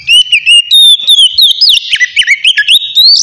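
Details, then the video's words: Relaxed ngeplong song of a white-rumped shama, used to draw in wild birds: continuous sweet whistling, notes sliding and zigzagging, closing with a rising whistle. "suara kacer ngeplong santai sangat cocok buat mancing kacer bahan"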